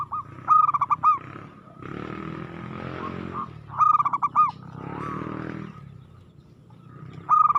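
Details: Local zebra dove in aggressive song: three loud stuttering coo phrases separated by stretches of hissing noise, with faint low background hum.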